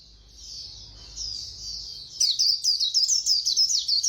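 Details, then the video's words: Quick khuyên líu song of a white-eye: a soft, high, wavering warble for two seconds, then an abrupt run of loud, rapid, bright chirps. "Khuyên Líu Hay _ Mau Mỏ _Tốc Độ _Tiếng chim Khuyên Líu"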